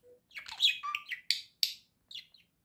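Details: Pet budgerigar indoors giving a quick run of bright chirps and warbled notes, some squeaky and rising, others short and scratchy, ending with a few faint clipped tweets.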